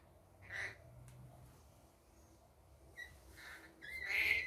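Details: Rainbow lorikeet in the daytime giving a few short, harsh, screechy notes, spaced out with quiet gaps between them, over a low background hum.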